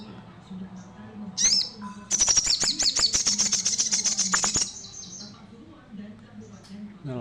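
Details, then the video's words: Javan cochoa in full, energetic song: thin high notes, then a rapid burst of sharp, bright chirps over about two and a half seconds before fading. A low steady hum runs underneath. "Sogon Nembak Full Bremm"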